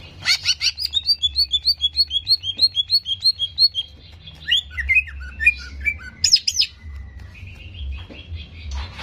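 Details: Fast provoking cucak ijo recording to raise the greater green leafbird's aggression: a quick string of about twenty clipped repeated chips, then swooping varied whistles and a drawn-out thin tone, with a steady low hum beneath.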